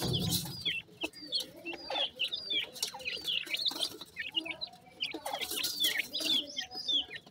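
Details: Feeding grey francolin chicks, called dakhni teetar, cheep constantly. Several birds give sharp falling peeps in busy bursts, with a louder cluster near the end and scratchy feeding sounds underneath.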